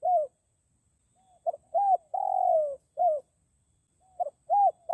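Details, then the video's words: Spotted dove lure recording for catching the attention of wild forest birds. The end of one phrase leads into a full sequence of a double note, an arched coo, a long falling purr and a short coo, then the next phrase begins. "PIKAT BURUNG DEKUKUR HUTAN"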